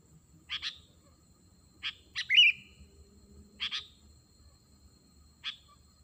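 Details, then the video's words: Sooty-headed bulbul calling to lure wild birds, giving sharp doubled chirps at irregular intervals and one louder short warbled whistle in the middle, over a quiet low rumble. "pikat kutilang manggil burung liar"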